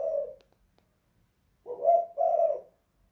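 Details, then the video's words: Inside a house, a spotted dove (tekukur) in 'kuk 2 / guk 1' style ends one coo, falls silent over a second, then gives a husky rising note followed by a longer level coo. "Tekukur kuk 2 / guk 1 in the house"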